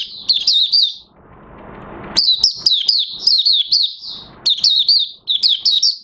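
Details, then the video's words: Oriental white-eye kept in a cage, new white feathers nearly fully pigmented, recorded August 2022; rapid high-pitched twittering runs of slurred notes, a brief pause, then a longer burst of chattering song. "Mata Puteh Raja Buka Sing"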